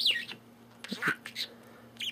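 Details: A pet budgerigar gives quick, bright chirps and scratchy warbled notes in short bursts, while a person repeatedly says "want your mobile phone".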